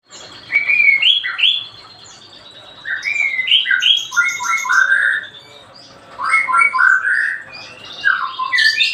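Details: White-rumped shama giving its daily song: loud, varied whistled phrases in rich rising and falling bursts, separated by short pauses, with higher sharp notes mixed in.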